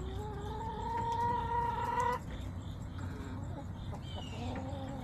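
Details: Backyard flock of chickens on a September 2024 day: one long, even, tonal call held for about two seconds, then quieter scattered clucks over a constant low hum.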